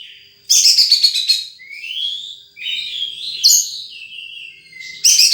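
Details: Wild sunbird with a loud buzzy burst, then a clear rising whistle and a series of high sliding, twittering notes, closing with another loud burst.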